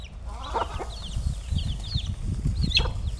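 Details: Chickens being fed: several high, slurred chirps sweep up and down in quick succession over a strong low rumbling background, with a couple of sharp knocks.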